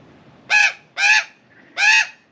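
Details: Female Australian magpie, loud and strident, scolding a cat from a balcony rail: three harsh, nasal, downward-bending squawks spaced about half a second apart.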